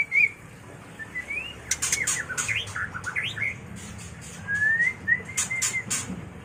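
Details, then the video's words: White-rumped shama mating call: clear whistled notes, some rising and slurred, alternating with sharp high clicks and a quick burst of short downslurred notes in the middle. "Suara murai batu kawin"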